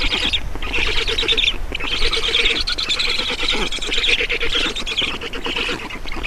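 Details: Black storks feeding at their nest in Estonia, afternoon of 7 June 2019. Dense, wheezy, rasping calls pulse rapidly and overlap in steady waves, with brief dips between bursts and a low rumble underneath.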